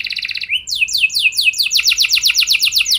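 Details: Canary singing to prompt other canaries to join in: a short trill, a rising whistle, then a series of descending slurred notes speeding into a rapid rolling trill.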